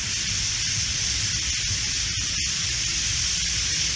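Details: On an evening along a tree-lined city road in Kochi, Japan, a big white-cheeked starling flock roosting in street trees makes an unbroken high, hiss-like chorus of countless overlapping calls, with a low background hum and a few brief clicks.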